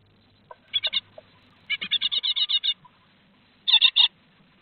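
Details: Great tits at a nest box on 3 July 2023, around the fourth and fifth fledglings leaving the second brood; bursts of harsh, buzzy, rapidly repeated notes, one long run of about ten, with quiet gaps between.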